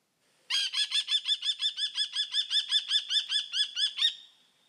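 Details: A common kestrel (Falco tinnunculus) calls a rapid, shrill kee-kee-kee, about seventeen sharp notes at roughly four per second, evenly spaced with no other sounds.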